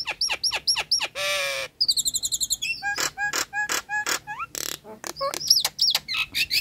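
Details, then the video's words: Lure song of a Nias hill myna, meant to set off birds that stopped singing, are stressed or are moulting: quick sharp whistles, a nasal buzzing burst, a rapid high trill, upswept whistles and harsh rasps. "PANCINGAN JALAK NIAS LEPAS- MACET BUNYI-STRES dan MABUNG"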